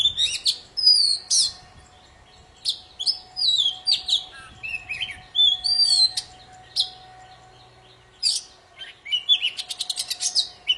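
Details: Prolific poci song for luring silent birds back into song: continuous high chattering and sweeping whistles in quick irregular bursts, ending in a fast trill of clicks, over a faint steady hum.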